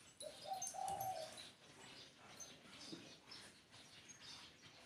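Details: One low, hollow coo phrase from a spotted dove at the start, a brief stepped lead-in then a longer hoot, followed by scattered thin chirps and twitters from small birds.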